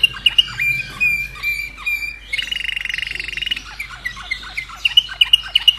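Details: An Austrian Slavujar canary from 2011 sings: sustained whistles, then a dense buzzing roll, followed by quick separate chirped notes. A faint hum sits underneath.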